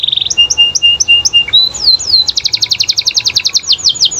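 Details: Canary singing to provoke other canaries into replying: a brief buzz, paired high and lower notes repeated in rhythm, a few slurred whistles, then a fast bright trill of doubled notes about five per second.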